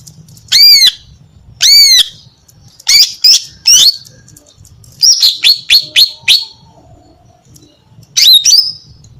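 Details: Female greater green leafbird singing to attract males: loud, clear whistled notes arching up and down, given in short separate bursts, then a fast run of sharp descending chips and a final slurred phrase.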